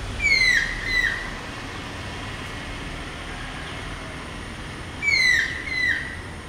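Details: Stork-billed kingfisher of a courting pair in mango trees by a pond, holding a fish in its bill while calling for its mate, giving loud, descending screeching calls in pairs about five seconds apart, over a steady hum.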